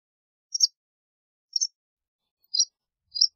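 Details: White wagtail uttering four thin, high chirps about one second apart, each brief and slightly doubled. The background is quiet.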